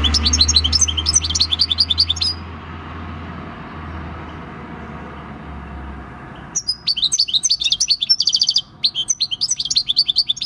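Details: Six-year-old wild-caught European goldfinch performing field song, recorded 26 December 2019; dense high twittering, a long quiet gap with low humming background, then resumed rapid tinkling phrases with a brief buzzy trill.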